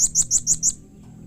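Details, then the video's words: Five quick, shrill, high-pitched chirps from a blue-crowned hanging parrot, evenly spaced and fading out, a call said to prompt other hanging parrots to answer. "SUARA Serindit Seperti Ini Paling Di Sukai & Cepat Di Respon Bikin Nyaut Semua Burung Serindit"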